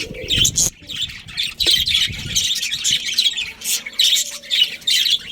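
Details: A breeding colony of budgerigars giving busy overlapping high chirps and harsh squawks in bursts, with a brief low thump early on and a faint steady hum beneath.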